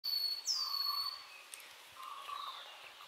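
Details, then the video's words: Nilgiri sholakili (Sholicola major) singing: a bright, clear whistled note sliding downward, with softer lower warbled notes beneath and a hissy forest background. "Nilgiri Sholakili (Sholicola major) Singing"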